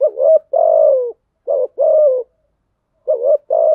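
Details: Lure spotted dove cooing to stir other doves into calling: deep, hollow coos in pairs, a short wavering note then a longer level one, repeated after brief silent gaps, clean and loud with no other sounds.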